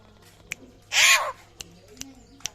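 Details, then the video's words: A single rasping, burst-like call from a rare Papuan butcherbird, described as raptor-like, flanked by sharp faint clicks before and after. "BURUNG JAGAL PAPUA SUARA MIRIP RAPTOR LANGKA"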